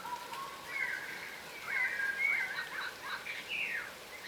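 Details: Ground-feeding yellow rosellas, a subspecies of crimson rosella, utter a run of sweet whistles and piping chatter, notes bending upward and downward, growing more crowded toward the close against quiet natural ambience.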